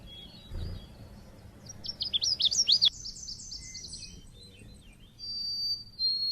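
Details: Oriental white-eye (pleci) used as a lure to make kept birds sing, Indonesia: a lively burst of high zigzag chirps followed by a buzzy descending series and clear piping whistles.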